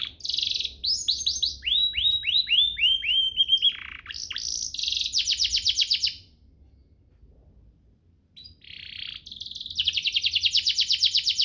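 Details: Canary master song meant for young canaries and to provoke singing. Buzzy trills and falling whistled notes, a brief rattle, about three seconds of near silence, then a dense rapid trill resumes.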